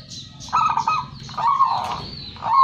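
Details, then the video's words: Local zebra dove, winner of first place in competition, gives rolling trilled coos in two close phrases, then a third starting at the end, against faint background hum. "perkutut lokal gacor juara 1"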